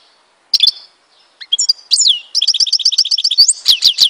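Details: Algerian goldfinch song recorded in Tizi Ouzou: scattered high chips and sweeping downslurred whistles lead into a long rapid rattle of ringing, evenly repeated notes, closing with loud descending swoops.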